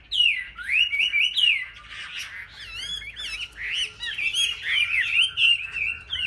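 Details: Competitive song from caged, selected Chinese hwamei: bright looping whistles rising and falling, some harsher rasping notes mixed into fast tumbling phrases, energetic and nearly continuous.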